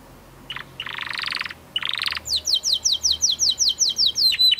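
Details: Canary song beginning with harsh, buzzy trilled bursts, then a steady series of quick downward-sweeping whistles repeated about three times a second over faint background noise.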